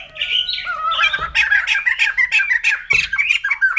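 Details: White-crested laughingthrush, locally called poksay jambul putih, giving a dense run of chattering, squawky notes, with a slurred whistle at the start and harsh bursts repeating about three times a second.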